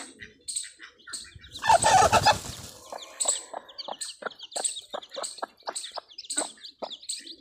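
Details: Desi hen with her newly hatched chicks on a free-range farm: a loud, harsh burst early on, then quick, short clucks and peeps repeating about four per second.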